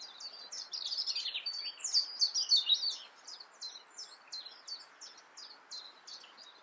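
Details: In Germany's Eifel region a European robin sings a high, tinkling series of quick down-slurred notes, at first dense and jumbled, then a spaced run of similar sharp notes gradually fading in loudness.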